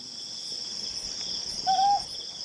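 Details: A Ryukyu scops owl, recorded in July 2020, gives one short, slightly rising hooted note against a steady, high shrill insect chorus.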